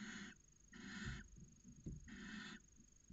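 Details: Inside a barn owl nest box in Cabañeros National Park, where a pair copulates at the start of the season; three rasping, breathy screeches of about half a second each, separated by brief pauses and faint bumping.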